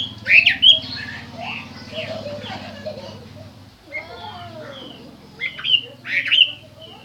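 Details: Chinese hwamei song in loud, harsh whistled bursts at the start and end, with softer, varied warbled notes between them and a constant low hum underneath.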